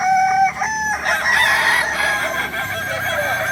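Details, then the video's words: Kukuak balenggek rooster at a crowing practice in Solok, loud and close, with clear separate notes at the start leading into a dense, continuous, stepping crow that fills the rest. "latberan ayam kukuak balenggek di solok"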